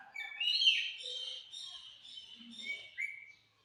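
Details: Green rose-ringed parakeet talking: nasal, speech-like mimicked syllables with buzzy harmonics, a louder drawn-out phrase early on, then softer mumbles and a short rising squeak near the end, in a quiet room.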